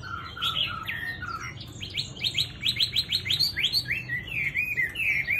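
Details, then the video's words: A tame Chinese hwamei, kept as a cage bird and praised for its fine plumage and sweet voice, sings loud varied whistled phrases: a rapid run of about ten rising notes, then rich warbling slurs, over a low hum. "Mi thuần DV6969 NÉT HOẠ ĐẸP GIỌNG CA HAY"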